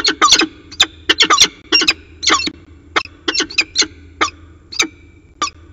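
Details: Peregrine falcon at CSU Orange, 15 January 2019, 5:45 pm: rapid harsh, grating notes in tight clusters, about two dozen calls in six seconds, with a low background hum.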